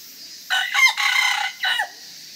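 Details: A red junglefowl at Tama Zoological Park, Tokyo, on August 27, 2017, gives a brief, harsh crow in a few ragged bursts that ends abruptly.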